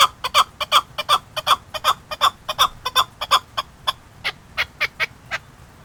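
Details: Chukar partridge from Qubodiyon, giving a rapid series of loud clucking chuk notes, about 27 in under six seconds, each bright and broadband, the series speeding slightly then spacing out toward the end.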